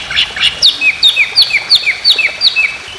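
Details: White-rumped shama training song for contest birds: repeated downslurred whistles in quick succession, about three a second, with sharp high accents at the start of each note.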